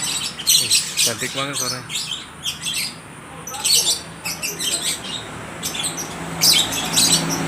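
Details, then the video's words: Lovebirds at a bird market in Aceh Tamiang, Indonesia, trading calls: bursts of piercing, high chirps in clusters, with a person's voice heard briefly near the start. "(Burung love bird) saling nyaut menyaut sangat gacor"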